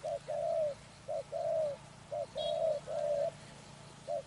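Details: Spotted dove at a trapping site calls in soft, low coos. Each brief note leads into a drawn-out coo, repeated about four times. A single high chirp from another bird cuts in midway.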